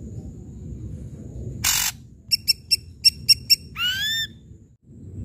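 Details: Ashy drongo in loud song meant to set off quiet drongos: one raspy burst, six crisp spaced chips, then an upward-sweeping whistle.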